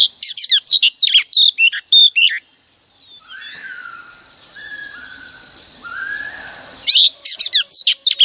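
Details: Female oriental magpie-robin singing as a morning lure to get males singing: rapid clusters of sharp whistled chirps, a lull with faint lower whistles and hiss, then another burst of quick bright notes.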